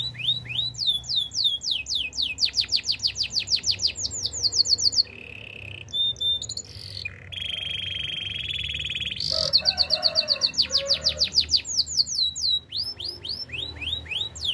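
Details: Long canary song with repeated fast descending whistled sweeps, broken by buzzy lower rolls and a harsh rattling passage, then returning to quick sweeping notes.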